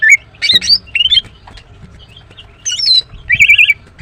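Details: {'caption': 'A female greater green leafbird sings in the morning with loud clear whistles, each note sliding up or down, then a brief buzzy phrase and a fast warbled trill near the close.'}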